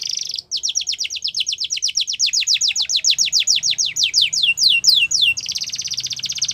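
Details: Yellow canary singing in the wild: a buzzy trill, then a long even series of rapid sweeping notes that gradually slow and spread out, closing in another dense buzzing trill over a soft low rumble.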